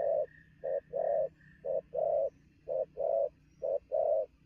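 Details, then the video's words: Rapid cooing from a newly caught spotted dove at noon, deep short-then-long notes in quick succession, with a few high whistled notes from another bird early on. "thổ gù tốc độ, 12h trưa mà bổi quá sung"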